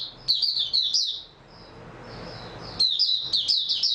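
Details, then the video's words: Oriental white-eye (mata puteh), recorded 3 March 2022, gives a quick run of high slurred chirps, falls quiet for over a second, then starts another twittering phrase. "Mata Puteh Raja Video 2 buka sing tiong aw"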